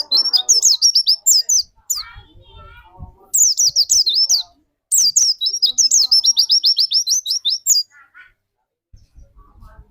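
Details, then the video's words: White-eye serving as a lure bird to set off another white-eye's song: fast runs of thin, high, wavering whistles and chirps, roughly two or three notes a second, in three long bursts separated by short pauses. "burung pleci pancingan di jamin pleci anda cepat nembak"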